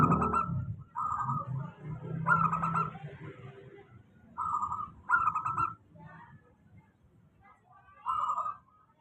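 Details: Local zebra dove singing a steady lure song for doves that are slow to sing. Repeated short trilled cooing bursts, each about half a second, come at irregular intervals over a low rumbling background.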